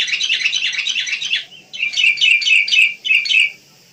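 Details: Wild sooty-headed bulbuls give a dense stretch of overlapping chattering chirps, then, after a pause, three or four short bubbly whistled phrases in quick succession.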